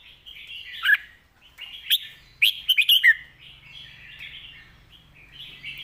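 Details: Loud red-whiskered bulbul delivering master-pattern song: short warbled phrases, then a lively run of four or five sharp, liquid notes dropping at the end, followed by softer chattering phrases over a faint low hum.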